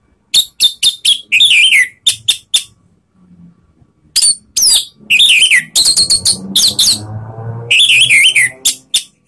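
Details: Orange-headed thrush song from Indonesia, used to goad rival birds: near-continuous chattering of harsh notes and warbled whistles, with a faint low hum underneath during the middle stretch.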